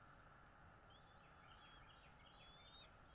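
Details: Bald eagle at its nest in North East Florida, watched by a nest camera on 13 February 2022 at 08:08; a run of thin, high chittering whistles, some slurred downward, over a steady low rumble of background noise.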